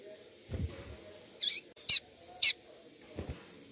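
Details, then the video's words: A calling female Double-collared Seedeater gives three short, high, sharp peeps about half a second apart, with a couple of low thumps before and after, used to stimulate males. "Fêmea de coleiro piando esquenta Coleiro"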